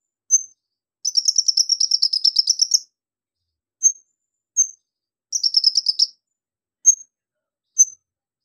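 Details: Lively Javan magpie-robin song with mimicked insect and bird sounds such as golden grasshopper, lovebird and cricket. Two buzzy, rapidly pulsed trills of about two seconds each are separated by short, clear, high whistled notes.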